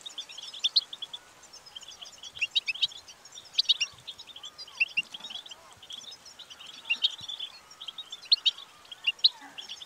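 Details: Distinctive tabtaba song of a goldfinch, played to prompt a bird to start singing: a fast, tinkling cascade of high chirps, buzzy twitters and short trills, delivered without pause, with sharper accented notes recurring every second or two.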